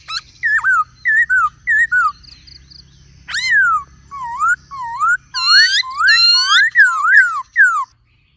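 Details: Laughingthrush with a female calling, singing a run of varied whistles: repeated dipping two-part notes, sweeping slurs, a short high trill and a dense burst of loud rising and falling whistles near the end.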